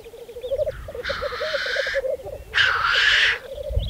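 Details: Black grouse at a spring 2014 lek on Saaremaa, Estonia, giving two long, wheezy, rushing hisses about a second each over a steady low bubbling murmur.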